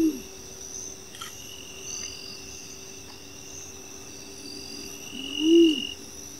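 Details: A Striped Owl recorded in Las Varillas, Córdoba, gives a single low, arched hoot near the end, with a clipped one at the start, over steady high insect trilling.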